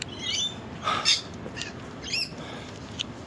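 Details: A Rainbow Lorikeet calling from a treetop near the dunes at Sandy Beach, Mid-North Coast of New South Wales, where lorikeets are plentiful, gives about five short, shrill, screechy notes at irregular intervals, with faint background rustle.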